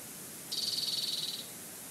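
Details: Bald eagle at a Sauces Canyon nest holding food, June 2019, picked up by a nest camera: one high, rapid chittering trill lasting about a second against a constant hiss of wind.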